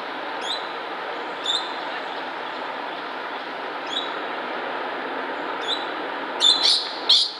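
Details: Coconut lorikeet at MacRitchie Reservoir, Singapore, 5 March 2016, giving brief, shrill screeches, scattered at first, then a few louder harsh bursts near the end, over a constant broad hiss like traffic.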